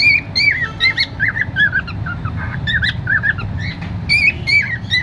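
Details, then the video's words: Singing cockatiel said to be happy, giving a run of curling whistled notes mixed with buzzy chirps, irregular in rhythm, with a quieter stretch midway and a constant low hum underneath. "happy cocktail #cute singing"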